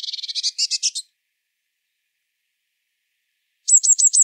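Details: Song of a Eurasian blue tit: a quick high chattering trill lasting about a second, a long pause, then a run of clear, sharply descending whistled notes repeated in quick succession.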